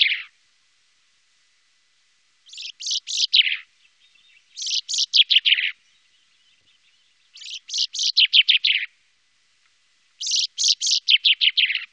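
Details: Four repeated song phrases from a common chaffinch, Wittlicher Tal, 2018. Each is a rapid run of sharp notes sliding downward and ending in a brief flourish, with pauses of roughly a second between phrases.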